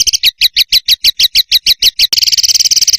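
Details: Songbird on a cage-bird masteran recording. Evenly spaced, harmonic, slightly downslurred notes repeat about five per second, then break into a rapid, buzzy high trill.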